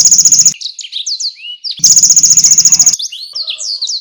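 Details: Energetic canary song meant as a tutor for contest songbirds, with konin and blackthroat bursts: two loud, rapidly pulsed buzzing rattles separated and followed by bright, quick whistled swoops.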